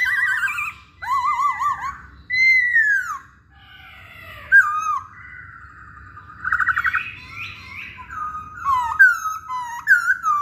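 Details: Masked laughingthrush (Poksay Hongkong) song played as a lure to provoke other birds into singing: a varied run of loud whistled phrases, wavering trills around the middle range, slurred downward notes and short high buzzy bursts, with pauses between them.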